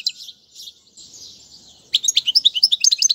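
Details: European goldfinch singing for teaching chicks. Two seconds of faint, distant twittering give way to a loud, lively run of high chirps and quick slurred notes.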